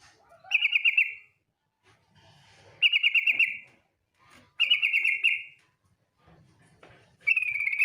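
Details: Female yellow-vented bulbul calling for the male, used to lure bulbuls into song: four short, rattling trills of rapid repeated notes, spaced roughly every two seconds, with faint background noise between.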